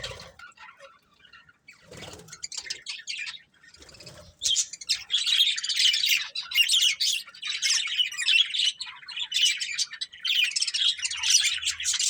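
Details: Budgerigar breeding pair chirping indoors: a few scattered notes and faint thumps, then from about four seconds a dense, continuous warbling chatter of rapid buzzy and squeaky notes.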